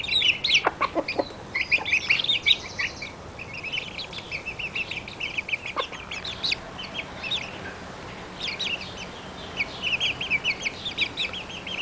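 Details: Month-old Barred Plymouth Rock chicks cheeping in scattered clusters of short high notes, with quieter pauses and occasional tapping or knocking noises.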